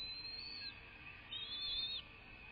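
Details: Bald eagle calling from a live-cam nest, 01.03.2024, 06:39: two thin, high whistled slurs, the second rising then falling, against a constant background hum.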